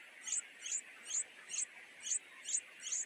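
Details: Greedy nightingale chicks, two in the nest, calling to their mother for food with seven loud, piercing high squeaks, each about 0.4 seconds apart, over a soft steady hiss.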